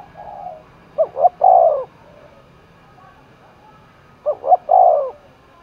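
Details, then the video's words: A spotted dove, roused for a contest in Đồng Nai, Vietnam, gives two deep cooing phrases about three seconds apart. Each opens with two brief notes and ends in a longer soft coo. A faint coo comes first. "cu gáy thúc đấu vang cả núi rừng đồng nai, cu gay kich boi nhanh noi gù"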